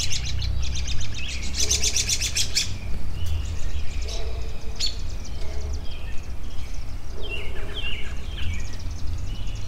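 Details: Birds open with a fast, dense rattling trill of high notes, followed by sparse chirps and short downslurred whistles, all over a steady low rumble.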